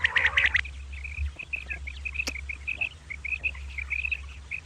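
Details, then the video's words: Common quail at the morning time when quail come in, giving brisk repeated two- and three-note bursts at a steady pitch. A louder, harsher call opens briefly at the start, and a low hum runs throughout. "Common Quail Calling Batair Ki Awaz"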